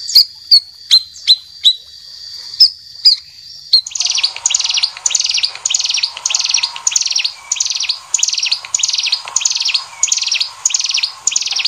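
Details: White-rumped shama song, champion bird and speckled juvenile, used as masteran tutoring material: a run of sharp, separated high whistled notes, followed by a steady series of downward-sweeping notes repeated roughly twice per second.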